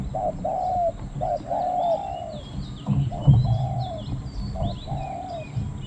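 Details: Decoy spotted dove calling to wild spotted doves, its cooing small and low: repeated short hoots leading into long, smooth, slightly falling notes, with high faint bird twitters and low thumps in the background.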